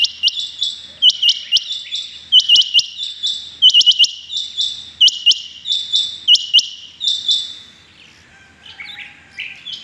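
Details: Morning chorus of rain quail, 6 July 2021: rapid, high, clipped double and triple notes repeated almost without pause for eight seconds, then fading into softer, lower chirps.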